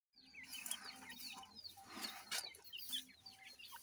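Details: Grey francolin chicks feeding and playing, giving a dense chorus of thin, high peeps, each a short downward slur, overlapping constantly, with soft tapping and rustling noises underneath.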